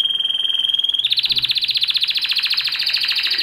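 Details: Spanish Timbrado canary song: a pure sustained whistle for about one second, then a rapid pulsing, bell-like trill repeating many times per second.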